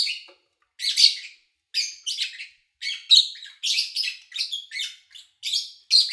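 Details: Early August 2019 recording of lovebirds chirping with little background noise: rasping chirps in quick clusters, growing busier and more continuous toward the end.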